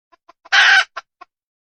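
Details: Wild hen junglefowl: three soft clucks lead into a single loud, grating squawk, then two more short clucks trail off; no other sounds.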